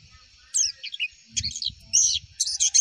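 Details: Javan white-eye masteran song for prompting answers: separated clusters of high, buzzy chirping twitters over a faint low rumble.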